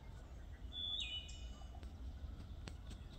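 A Wood Thrush sings one clear, flute-like phrase: a pure whistle that leaps higher, then ends in a quick, shimmering trill. A low rumble of background noise runs throughout.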